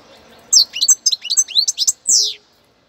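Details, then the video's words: A young European goldfinch from Cádiz, a new bird, singing a brief burst of high, quick twittering notes and liquid trills, ending in a longer descending buzzy note, over a faint low background hum. "jilguero novel de Cádiz"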